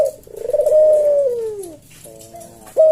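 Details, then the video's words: Puter collared dove in a cage, cooing a melodious slow senggang phrase: a long, low coo that swells and then sinks, a soft hum, and an abrupt short note at the end. "Burung puter jawa kuk deruk manggung merdu suara SLOW SENGGANG"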